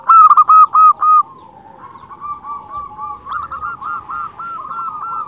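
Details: Lure song of a local zebra dove: it opens with a loud burst of quick, bouncy notes, then continues as a softer, wavering string of coos that speeds into rhythmic rolling notes.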